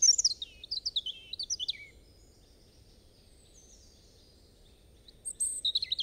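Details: European robin singing: a rapid run of thin, high whistled notes and twittering slurs for about two seconds, a quiet pause, then another high sparkling phrase beginning near the end.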